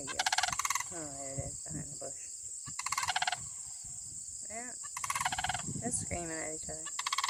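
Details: A pair of Sandhill Cranes calling back and forth, recorded live: loud, rattling, pulsed bursts about every two seconds, with a man talking between the calls and a steady high hiss throughout.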